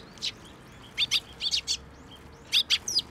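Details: Young Eurasian tree sparrows gathering in a plum tree at a Tenmangu shrine on 26 May 2024 to be given food, giving sharp, high chirps in short clusters of two or three, with brief pauses between.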